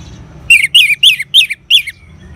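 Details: An orange-headed thrush's ngeban-style song, used to stimulate caged birds: five loud, rough, downslurred phrases given in a steady rhythm, each about a fifth of a second long.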